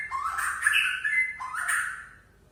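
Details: Aceh-type white-rumped shama singing relaxed, showing off its repertoire: two rich, full phrases of rising and gliding whistles layered with buzzy overtones, the second fading away.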